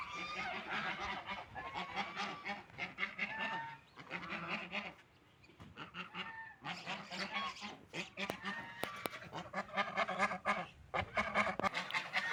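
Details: Ducks busy eating food and drinking water, many birds calling with raspy, nasal honks in irregular clusters separated by short quiet spells.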